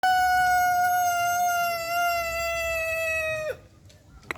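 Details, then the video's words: Rooster giving a long, sharp crow likened to a cricket's sound: one sustained, steady, rich harmonic note held about three and a half seconds, falling only slightly before cutting off sharply, followed by quiet. "suara ayam seperti suara jangkrik"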